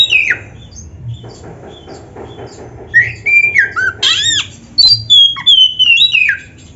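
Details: Oriental magpie-robin song used in training caged birds: a quiet opening with a faint hum, then bright whistles, sliding slurs and harsh arched notes in quick succession.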